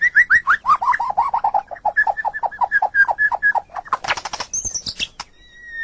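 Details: White-rumped shama in full song, used to train other captive songbirds; a long series of rhythmic repeated whistled notes, then a burst of harsh high chatter and a thin sliding whistle.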